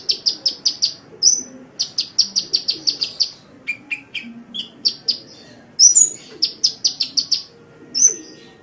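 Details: Masteran recording of a sunbird singing: fast series of bright, high chips repeated in runs, interrupted by lower, descending notes and a few piercing, sharp whistles.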